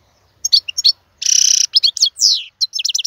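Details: European goldfinch, an adult male whose song is used to tutor fledglings: a few sharp chirps, a dry buzzing rattle of about half a second, quick twitters, a long downward slur and a final run of bright notes.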